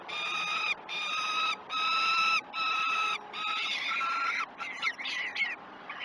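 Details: Peregrine falcon on the Great Spirit Bluff nest cam during breakfast feeding, morning of 21 June 2018. Four long, harmonic wails fade into shorter, rougher, broken notes toward the end.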